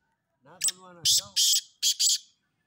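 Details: Black francolin (kala teetar) entered in a calling competition: a low voice-like murmur, then four loud, harsh, rasping notes in two quick pairs, the last pair after a short pause.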